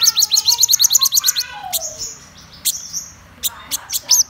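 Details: Black-throated sunbird, described as a top-class bird, opening with a fast series of high, ticking, repeated notes, then falling quiet except for a few isolated sharp chips.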